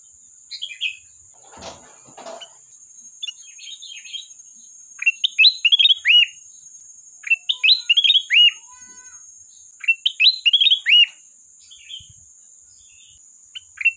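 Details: Sooty-headed bulbul singing actively to call a rival. A few scattered notes and rustles lead into loud, jaunty whistled phrases, each ending in a falling slur and repeated about every two and a half seconds. A faint steady high whine runs throughout.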